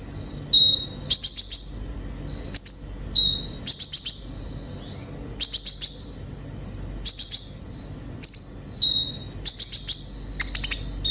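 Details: Energetic olive-backed sunbird song, aimed at getting kept birds singing: repeated phrases every second or so, each a brief thin whistle followed by three or four sharp, high-pitched chirps.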